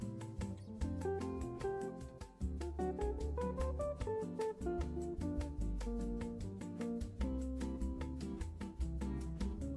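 Plucked acoustic guitar music plays throughout in a gentle, steady strum, with no animal voices.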